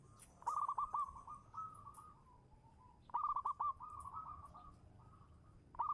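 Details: Local zebra dove singing as a lure: two soft cooing phrases, each opening with a quick burst of clipped staccato notes, then a rolling, slightly wavering coo held at one mid pitch, over a faint background hiss.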